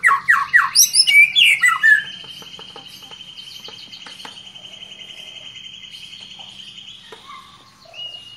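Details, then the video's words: White-rumped Shama, stirred by a lure recording, rattles off about ten quick, loud varied notes in two seconds, then holds a long, steady high whistle under soft clicking, ending with a brief whistled note. "Murai batu ini bikin emosi dan bongkar isian seketika"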